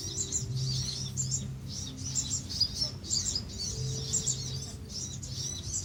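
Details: Van Hasselt's sunbirds in a colony on Pulau Perhentian, Malaysia, June 2017, keep up a dense stream of high, thin chips and trills, with a faint steady low drone beneath.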